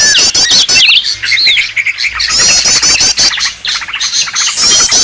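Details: Lure recording of noisy Green leafbird calls: quick looping whistles and rattling high trills, densely layered, with a few short breaks in the chatter.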